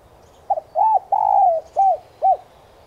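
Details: Cooing phrase of a spotted dove used as a lure to prompt other doves to call: a quick double note, an arched coo, a long sliding coo and two spaced rounded coos, with steady low hum behind.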